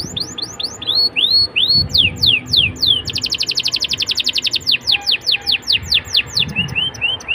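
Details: Song of a canary played to draw young canaries into singing with nice melodic turns: looping slurred whistles give way to a fast, dense buzzy trill, then to widely spaced downslurred notes.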